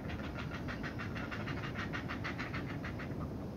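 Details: Noisy heron chicks begging as a parent feeds them at the nest: a rapid, even run of harsh pulsed notes, about four each second, over a steady low rumble.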